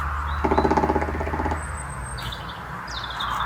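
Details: A male black woodpecker drums on dead trunks and branches in a forest of the Sierra del Sueve, Asturias, Spain, marking territory. One fast, even roll of about a second over a low rumble, then thin high chirps.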